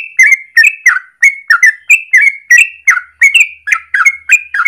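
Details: Yellow-vented bulbul in full morning song, a long rolling series used as a lure or master for training birds: bubbly notes with a sliding whistled tail, repeated roughly every half second in a steady chain.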